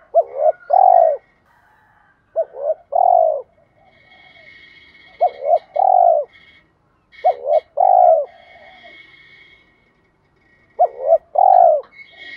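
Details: Spotted doves, decoy male and female, cooing to urge wild-caught doves to call: four repeated phrases of hooked double coo plus long low coo, a few seconds apart, with steady high twittering of other birds behind.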